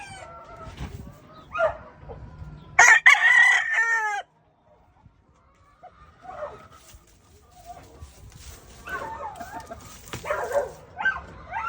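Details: Rooster crowing: a loud drawn-out harsh crow near the start, then a pause and scattered further crowing and squawky calls from other birds, with low rumbling background noise.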